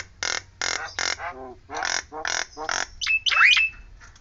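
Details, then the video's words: Nias Hill Myna producing loud, rasping squawks in a repeated series, then a bright sliding whistle and twisting squeal, with a steady low hum behind. "JALAK NIAS NEMBAK SIRINE"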